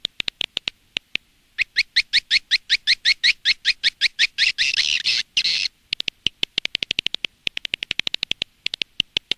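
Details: Edible-nest swiftlet lure sound from Indonesia for an outdoor nest house: sparse sharp clicks lead into a rapid train of high chirps and a buzzy chatter, followed again by quick clicking.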